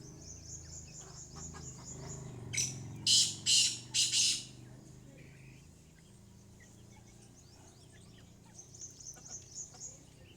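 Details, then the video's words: Female black francolin (kala teetar) with a series of faint high chirps, then four loud, coarse, hissing squawks in a row, fading into soft repeated chirps against low background rumble. "Madia kala teetar female mastail female"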